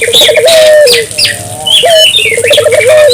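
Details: Barbary dove calling vigorously to stimulate local doves, rolling trill into a long hoot, a short rising note, then another rapid coo series, with loud chirps and whistles of other birds overhead.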